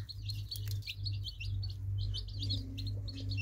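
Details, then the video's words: Several baby chicks peeping in quick, sharp bursts, about two or three per second, above a loud steady low hum. "Baby Chicks Birds Sweet Sound Effect Cute Baby Chicks Chirping"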